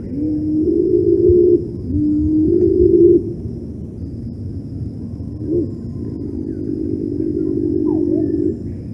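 Cinnamon-bellied imperial pigeon giving deep, low rumbling notes: two humming calls of about a second each, then a longer three-second rumble.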